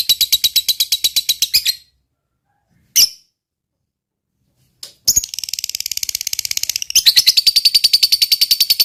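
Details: Fighter-type lovebird in long 'ngekek' chatter, heard in broken bursts. A rapid trill stops abruptly, a few isolated sharp notes follow after silence, then a dense high buzzy chatter resumes, steady and rhythmic, to the end.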